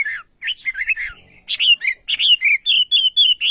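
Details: Olive-backed sunbird singing: a jumble of quick twittering chirps, a brief pause, then a brisk train of bright, slightly buzzy whistled notes repeated evenly to the end.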